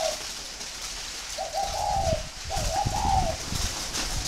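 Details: Northern Vietnamese spotted dove kept at a bird farm near Ba Vì, Hanoi. Two drawn-out, warm, throaty coo phrases follow a short opening note, with some low rumbling noise underneath.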